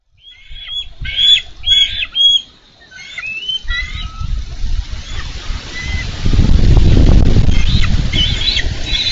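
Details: Wild bald eagles at a Minnesota nest camera on 4 July 2013, wrestling over a carp one adult delivered. Thin, high chattering notes in quick bursts open the recording, then loud low rumbling and splashing wind noise take over.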